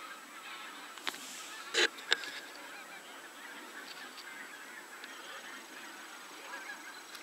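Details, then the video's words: Many geese honking together in a soft, busy chorus, broken by a few loud knocks and clattering sounds early on. "Geese / Gęsi"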